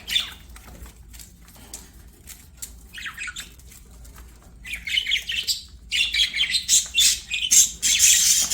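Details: Budgerigars at play, quiet at first with a few squawks, then a steady stream of rapid, raspy chirps and warbling squeaks.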